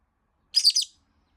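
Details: Complaining pet rosy-faced lovebird, left unplayed-with for a week, lets out one shrill, scratchy three-part screech lasting under half a second.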